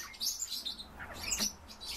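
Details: A captive tree pipit, kept about eight years and tame, gives high, thin chirps and short buzzy notes in quick bursts, with a faint low hum underneath.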